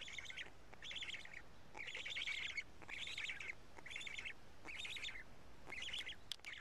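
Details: Black storks at a Karula nest on 31 May 2017 around 12:47 during a feeding with two big fish that the chicks pick apart. Bursts of raspy, high chattering calls about half a second long repeat roughly every second.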